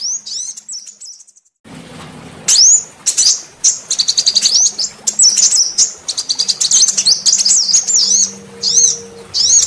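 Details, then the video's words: Female sunbird voice played to lure males: after a near-silent opening, a rush of sharp high ticks and rapid twittering, then looping whistled notes repeated in quick succession, over a faint low hum. "Pancingan suara kolibri betina untuk memancing semua jenis kolibri males bunyi"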